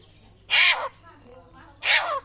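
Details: Butcherbird of Papua, said to be rare, giving raptor-like calls: a pair of grating, broadband screeches about 1.3 seconds apart, the first slightly longer, with quiet between.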